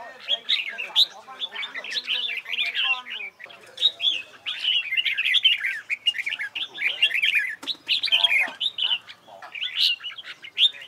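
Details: A red-whiskered bulbul singing in contest style (hót đấu) during training: nearly continuous rich, rapid warbling with slurred whistles and chirps, broken by only a few short pauses.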